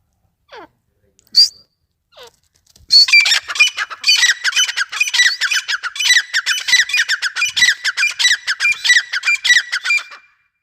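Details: Desi teetar (grey francolin) calling: after a few faint squeaks, a loud run of harsh, scratchy notes begins about three seconds in and repeats rapidly and unevenly until the end, with no other sounds.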